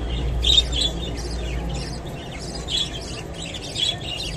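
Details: Japanese budgerigar eating kolmi shak, water spinach: warbled chirps and sharp tweets come in lively clusters, with a few louder peaks, above a faint low hum.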